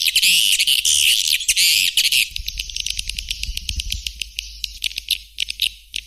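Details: White-nest swiftlet: loud, dense, high buzzy twittering at first, thinning into rapid, repeated thin ticking chirps over a low steady hum.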